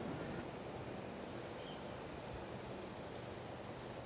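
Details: Steady rushing of ocean waves and wind along Tambor Bay, with no animal voice heard.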